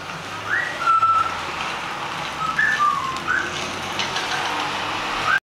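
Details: Pet eclectus parrot, 12 months old, giving a string of short clear whistles, some flat, some rising or falling, scattered over several seconds against a steady background hum.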